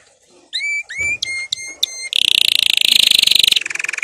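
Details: Canary singing a powerful training song: several rising whistled notes with clear overtones, then a long rapid rolling trill that drops slightly in pitch toward the end.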